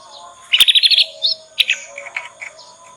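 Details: Juvenile Yorkshire canary learning its ngriwik song, played as a lure to teach other canaries; a fast run of bright trilled notes, then a few scattered chirps fading off, with a faint steady background hum.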